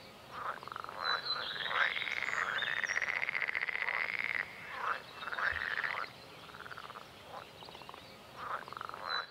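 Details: A Red-necked Grebe, one of a pair that spent spring mating, catching newts and feeding chicks, gives harsh, braying squeals in drawn-out rising and falling bursts, with a long wailing run midway and shorter repeated phrases after.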